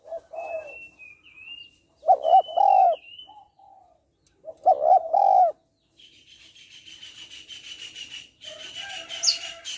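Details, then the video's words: Female spotted dove calling to attract and stimulate males, repeating its soft two-part coo about every two and a half seconds. Thin whistles from other birds are heard, then a burst of busy, noisy bird chatter. "Cu gáy mái kích trống/ tiếng cu gáy mái kích trống hay"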